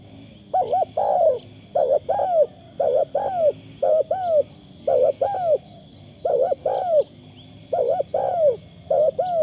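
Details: Decoy Spotted Dove calling to lure others, in a light, thin 'karom' style. Paired cooing phrases: a quick wavering double note, then a longer falling coo, repeated about every 1.3 seconds, over a faint steady high hum.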